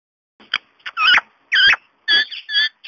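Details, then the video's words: Pet Indian ringneck parakeet talking to a mobile phone: rapid, shrill, nasal speech-like syllables in quick bursts, loud and close. "Indian Ring Neck Talking Like CRAZY. Parrot Talking to mobile."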